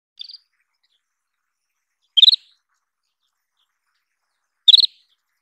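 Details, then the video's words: Isabelline wheatear calling: short clusters of four quick clicking chirps around high pitch, the first soft, then two louder bursts about two and a half seconds apart, in a quiet background. "沙䳭 /Isabelline Wheatear"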